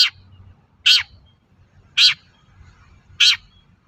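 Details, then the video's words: Long-tailed shrike (pentet) lure call to draw answers from other shrikes: loud, scratchy, buzzy notes repeated roughly every second, each harsh and clipped, with a low background hum. "SUARA BURUNG PENTET GACOR AMPUH UNTUK PANCINGAN CENDET LAIN AGAR NYAUT"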